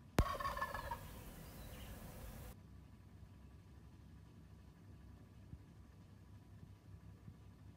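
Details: Wild turkey visiting in the morning gives one short gobble: a sharp onset, then a rapid, fluttering run of throaty notes lasting under a second. A few seconds of quiet low background rumble follow.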